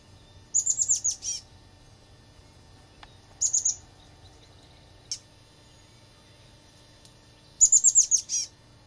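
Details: Chestnut-backed chickadee at its nest in a flicker box holding eggs and then young, giving short bursts of thin, very high, rapid notes in three clusters, with a few single high ticks between; quiet low hum behind.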